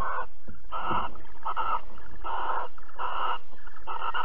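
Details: Barn owls mating and cuddling at Alphen, 22 April 2020: a rapid run of six harsh hissing screeches, about one every half second, over a low hum.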